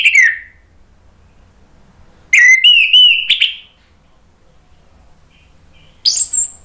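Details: Orange-headed thrush song used to get other birds singing: short bursts of bright whistled, warbling notes separated by long silences, with a final high, sharp phrase.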